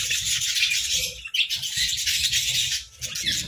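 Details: A captive budgerigar colony breeding in winter, chattering nonstop in a bright, buzzy jumble of high notes over repeated soft low thuds.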